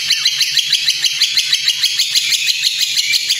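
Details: Kretekan-style white-rumped shama song from a recording meant to rouse and train birds: a rapid, fairly even rattle of sharp high notes, about three per second, over a steady background hiss.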